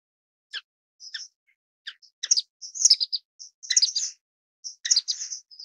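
Orange-cheeked waxbill giving thin, high chirps and short buzzy notes, several per second in irregular bursts, with no other sounds.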